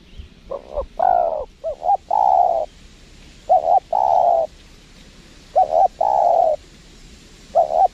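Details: Spotted dove replying to a lure bird at a windy trapping spot, repeating a two-part coo phrase, a brief doubled note then a longer steady coo, about every two seconds.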